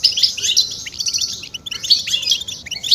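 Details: European goldfinch stimulation calls for courtship: short burst of fast, metallic twittering and liquid chirps, in two closely spaced phrases within three seconds.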